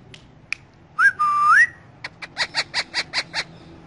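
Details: Morning sounds from a rose-ringed parakeet: one clear whistle that rises, dips and climbs again, followed by a quick run of about seven short, even, squeaky notes, with a low background hum.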